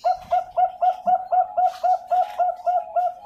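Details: Zebra dove, a Bangkok-ring bird from a bird farm in Pasuruan, East Java, Indonesia, giving a rapid series of low soft cooing notes repeated about four times a second in a steady rhythm, indoors with little background noise.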